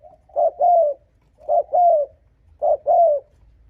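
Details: To draw in rival males, a spotted dove gives three hollow two-part coos, each a quick short note and a longer falling note, spaced roughly a second apart against near silence.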